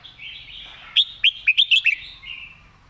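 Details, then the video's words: Caged red-whiskered bulbul singing a clear master song used for teaching birds: a soft warble, then a quick run of six loud, bright, bouncy whistled notes, fading into a quieter warble. "นกกรงหัวจุก เสียงดี เพลงแม่บทชัดๆ(ไว้สอนนก)"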